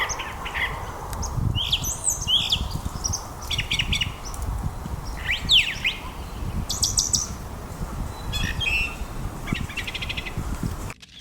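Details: A Brown Thrasher sings from high in a tree at midday on April 9, 2025, by a flooded lake trail in Marion County, Ohio: a string of varied rich phrases, chirps, slurred whistles and harsh notes, over steady low wind.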